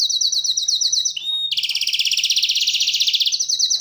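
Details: Canary delivering a high rapid trill, a short clear whistled note, then a broad, fast pulsing roll lasting nearly two seconds before returning to the high trill.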